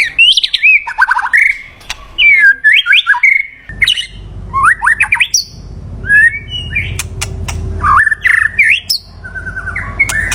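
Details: White-rumped shama song used to lure a mate: rich, varied whistles with rising and falling swoops, fast trills and sharp clicks, with a low rumble of background noise in the middle section.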